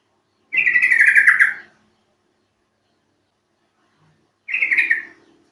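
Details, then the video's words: Lure call of a Yellow-vented Bulbul, used to coax other birds into song: a rich, gurgling chattery phrase lasting about a second, then a pause of nearly three seconds and a shorter matching phrase. "Panggilan burung trucuk"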